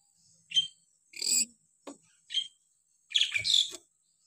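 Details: Hill myna calling: a varied series of short, sharp high whistles and squawks, with one brief lower note. The run ends in a harsher, buzzy double burst, and the calls come at uneven gaps over a few seconds.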